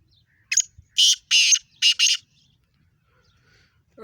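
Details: Black francolin calling in Sindh, Pakistan: a short series of five harsh, grating, broadband bursts in quick succession, two then one then two, with a quiet background.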